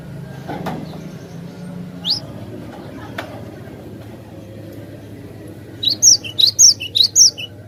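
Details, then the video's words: Cinereous tit song used as a lure for other birds: after several seconds of low background hum, a quick run of high, sweet two-note phrases arrives near the end, repeated about five times. "suara merdu burung Glatik Batu Pas banget buat pancingan"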